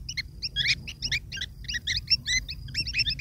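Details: Long-tailed shrike chicks clamour for food brought by their parent, a continuous chatter of harsh, stuttering double chirps pulsing in uneven bursts.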